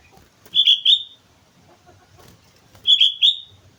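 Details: Sooty-headed bulbul in full song at Mount Slamet, repeating a three-note bubbly whistled phrase twice, about two seconds apart, with soft rustling and wing noise.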